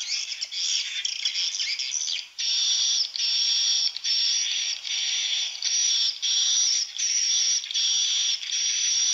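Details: Swiftlet chicks inside a swiftlet house give a dense, hissing, high-pitched chatter that swells in pulsing bursts about once a second, with no other sounds.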